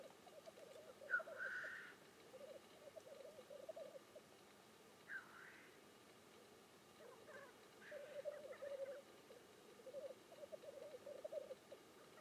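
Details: Black grouse displaying on a lek, with repeated low bubbling rookoo phrases in rolling bursts and several harsh hissing sneezes scattered over the recording, louder and softer by turns.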